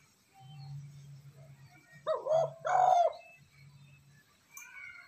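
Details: Spotted dove coo meant to stir a decoy bird into calling. A single low two-part phrase rises above a steady low mechanical hum, and a brief high chirp follows near the end.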